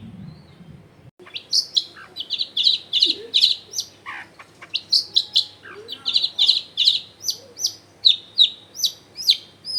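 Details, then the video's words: Long-tailed shrike in lively, prolific song, recorded at a house in a crowded neighbourhood. After a brief low rumble, a steady run of high, sharp chirps comes about twice a second, with a few descending slurred notes. "CENDET GACOR BAHAN BUNYI ISIAN MELIMPAH CENDET DIAM LANGSUNG NYAUT EFEKTIF CENDET AGAR IKUT BUNYI"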